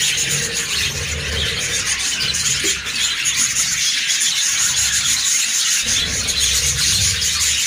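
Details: A pet budgerigar colony chatters nonstop, many high warbles and chirps blending into a dense, buzzy wash.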